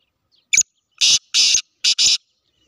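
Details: Black francolin, a Sindhi bird, giving a loud, harsh, grating call: a short clipped note followed by two long rasping bursts, then a quick pair of rasping notes, in a quiet setting.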